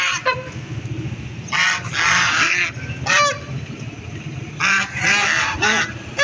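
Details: Ducks giving loud, buzzy quacks in separate bursts a second or two long, with quieter gaps between them and a soft low rumble throughout.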